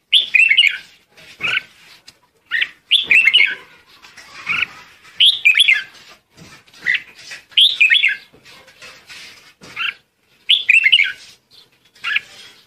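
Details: Red-whiskered bulbul repeatedly calling to its flock. A cheerful warbled phrase of slurred notes comes back roughly every two to three seconds, with single short chirps in between.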